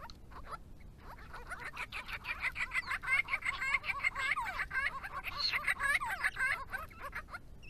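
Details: Grey-crowned babblers, a resident family group on a property in Victoria visiting water in hot weather; pairs calling to each other in a long rapid chattering chorus of repeated nasal notes, nearly two per second.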